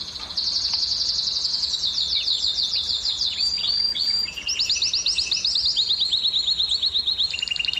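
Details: Canary song used to excite female canaries toward mating: high, rapidly repeated slurred notes in successive tours, each phrase a new pitch, with arched upsweeping syllables in the second half.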